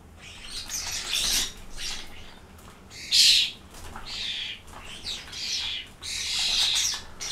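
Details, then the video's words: Common starlings kicking up a noisy racket, a string of loud, grating, hiss-like screeches, each lasting under a second, with one especially strong burst in the middle and short quiet gaps between. "Starlings making a noisy racket"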